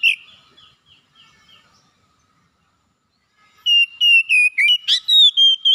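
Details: Oriental magpie-robin song used to stimulate a reluctant bird to sing. Faint scattered whistles give way, after a near-silent gap, to a fast run of loud, piercing whistled notes with sharp down-slurs and level tones.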